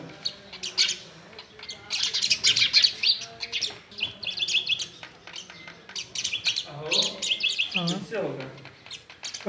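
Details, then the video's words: A myna bird at home, facing a mirror, gives a long stream of bright, high chirps and squeaky twitters at an uneven rhythm. A few lower, buzzier notes come near the end. "Indian Bird Maina chirping and waching mirror"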